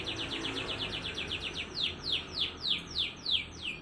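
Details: Rapid canary song in a unique style, used as a lure for canaries reluctant to sing: a fast trill of descending high notes that slows into louder, well-spaced downward-sweeping chirps.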